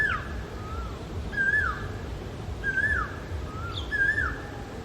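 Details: Asian koel male repeating a ringing, whistled two-part note that rises and falls, four times in quick succession, with faint higher bird chirps and low background noise.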